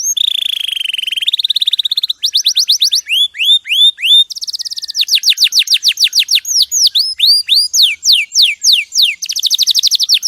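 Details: Canary's clear champion song for training other birds, beginning with a low buzzy roll, then quick rattles, rising hooked whistles and rapid sweeping trills, each tour changing every one to two seconds.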